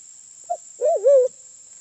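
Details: Sulawesi black pigeon, an endemic of Sulawesi, in a recording used as a lure call: a brief low hooted note, then a longer wavering, undulating hoot that dips and rises over about half a second. A steady high electronic whine runs throughout.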